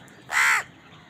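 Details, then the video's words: One crow at a feeding scene gives a single loud, rough, nasal caw lasting about a third of a second. "Crow bird crowing sound"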